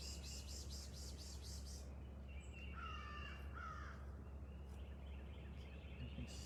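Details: Two harsh, drawn-out crow caws sound in the background at an oceanside barrier island in South Carolina, after a person's hissing pishing bursts meant to attract birds, over a steady low hum.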